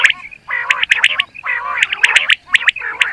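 Common quail giving sharp, high, clipped notes in quick groups of two or three, over a low buzzy, gurgling warble.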